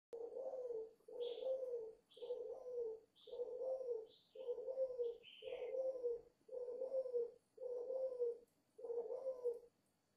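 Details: Five-month-old dove cooing fiercely: a long run of low, mellow, slightly wavering coos, each about a second long and repeated nearly every second, with brief higher chirps from other birds over the first half.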